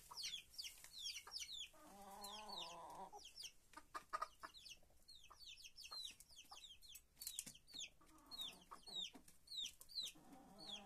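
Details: Chickens inside a coop give a busy chorus of high, falling chick-like peeps, broken by a drawn-out, nasal, lower-pitched hen call lasting about a second and some later soft clucking.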